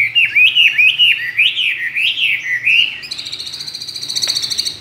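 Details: Two-year caged Chinese hwamei, trained and skilled in competitive singing with many wild voices, pours out looping whistled phrases, then switches to a fast buzzy rattling trill of rapidly repeated pulses.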